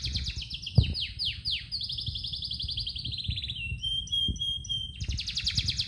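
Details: Canary singing in the morning: continuous rolling trills, series of sweeping descending notes and a long steady whistled tone, then another fast trill, over a constant low rumbling background noise.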